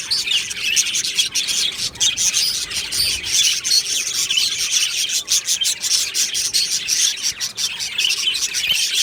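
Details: Budgerigar colony chattering in an aviary: a constant scratchy, buzzing chorus of chirps and warbles with sharp clicks scattered throughout.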